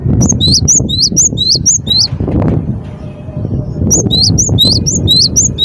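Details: Cinereous tit (gelatik batu) giving rising, sharp whistled notes in two bursts over heavy low rumbling background noise.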